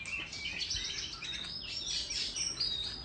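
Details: Oriental magpie-robin in a countryside duel, tail fanned in display, giving a dense, continuous stream of bright whistled phrases and buzzy chatter, with faint rural noise underneath.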